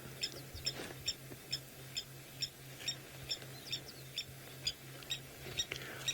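Blacksmith lapwings give sharp metallic 'tink' notes, about two per second, like a hammer on an anvil, over a steady low engine hum.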